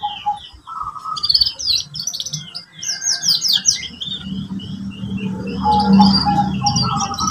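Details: Canary song meant as training for young birds learning to arrange their song: rapid buzzy trills and twittering phrases high up, with lower steady whistles, and a low hum building in the second half.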